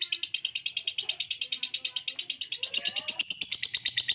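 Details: Lovebird producing the ngekek trill used to stimulate other lovebirds: quick, regular high chattering that becomes louder and shriller after the midpoint.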